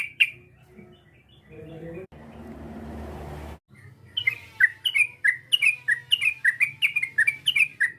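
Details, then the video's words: Yellow-vented bulbul calling to provoke a rival. A faint note and a stretch of hiss come first, then a steady series of loud, downslurred whistled chirps about twice a second. "PANGGILAN TRUCUK ini memancing emosi lawan, TRUCUKAN langsung BUNYI GACOR"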